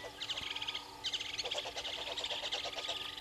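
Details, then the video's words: Red-billed hornbills below a live waterhole camera at Gowrie dam, Djuma Game Reserve, Sabi Sand Wildtuin, South Africa, 06:32 on 03/07/2022. Rapid clucking notes come in dense repeated series, with overlapping chatter from other birds and a steady background hum. "Red-billed Hornbills below cam"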